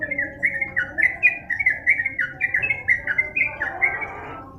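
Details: Yellow-vented bulbul in lively, sustained song for tutoring other birds: a fast series of short bright warbled notes, each slurring up and down, tumbling on in an even stream over faint low background noise.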